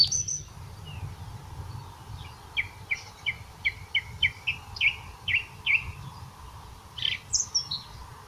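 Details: Song thrush calling in Portugal, giving a long series of short, bright note pairs repeated roughly every half second, ending with a higher, sharper phrase. A steady low hum runs underneath.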